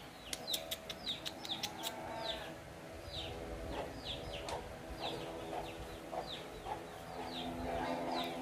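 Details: Javan myna living freely among people, uncaged and tame: a few quick clicking taps at the start, then a series of slurred, falling chirps at an uneven pace over a humming background.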